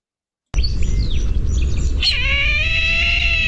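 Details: A Brahminy Kite gives a long, hoarse, mewing cry that holds steady and wavers slightly, after a brief patch of scratchy noise over a low rumble.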